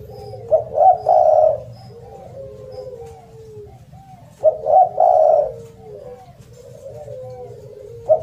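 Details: Spotted dove with a strong, sweet voice: two bursts of clustered coos ending in a long note, each followed by soft falling murmured notes, then one more coo starting.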